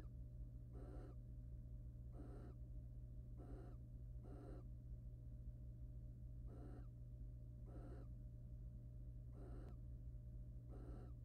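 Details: Wild male and female barn owls courting in a nest box, the male preening before mating; about ten rough, airy screeching hisses, often in quick doubles, separated by short gaps, over a low droning hum.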